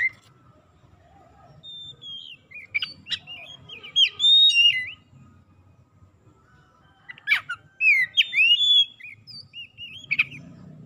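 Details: Oriental magpie-robin song played to coax mute, sluggish magpie-robins into singing: a long sequence of rich looping whistles and slurred notes, punctuated by sharp buzzy bursts, with quiet gaps between phrases.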